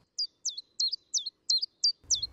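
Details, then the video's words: Common Chiffchaff beside the Orléans canal in Loiret, France, its sound rendered as "tip, tap, tip, tap": seven sharp, very high notes evenly spaced about a third of a second apart, then a low rumble at the end. "T'entends là? Ouais, là c'était le pouillot véloce. Tip, tap, tip, tap."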